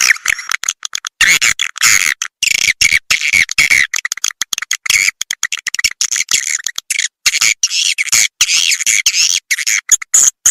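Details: Lure call of edible-nest swiftlets designed for bird-house farming; continuous choppy stream of shrill, buzzy twittering and squeaky chirps, cut into many short rapid fragments throughout.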